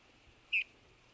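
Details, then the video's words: Eurasian bullfinch uttering a lone short, pure piping note, clear and even, over a low background hum. "bullfinch pyrrhula sound bird"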